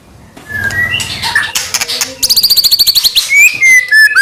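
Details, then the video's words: White-rumped shama singing to provoke other shamas: a low buzzy start, then a rapid string of clipped high notes followed by clear slurred whistles. "murai batu gacor AMPUH buat PANCINGAN murai batu agar bunyi"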